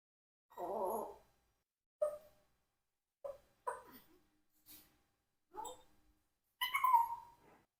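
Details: Four-year-old pet Congo African grey parrot mimicking sneezes: about six short, breathy sneeze-like bursts at uneven intervals of roughly a second, the last longer and more nasal, compared with a real sneeze.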